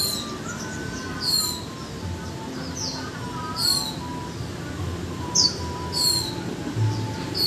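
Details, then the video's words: Japanese white-eye in a cage after one month, uttering scattered very high, sharp slurred notes in short groups every second or so, with lower soft whistled tones and background murmur. "Khuyên cốm xanh 1 tháng lồng hót chuyện líu choè!"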